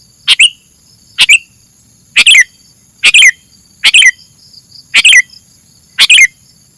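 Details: Sooty-headed bulbul recording for luring birds, with seven short sharp phrases of clustered chirps sliding downward at the end, evenly repeated about every second against a thin steady high tone.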